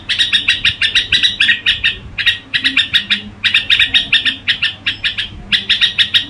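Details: Lively crooning song from a Red-whiskered bulbul: tight clusters of sharp, high chirps repeat in quick succession, separated by short breaks, with a faint low hum behind.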